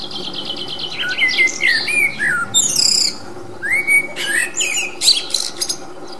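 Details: Wild common blackbird singing: fluty, gliding warbled phrases slide down through the mid range, broken by thin, high twittery flourishes in short separate bursts, over a steady low background hum.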